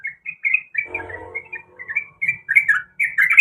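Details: Sooty-headed bulbul, a female in breeding condition calling the male: bursts of chattering, slurred notes that rise and fall, broken by short pauses, with a brief low rumbling noise near the start.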